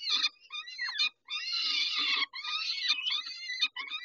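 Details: Peregrine falcons at a feeding, 11:48 on 19 May 2021: harsh, harmonic screeching calls in long, overlapping bursts, broken by short gaps, with soft low rustling beneath.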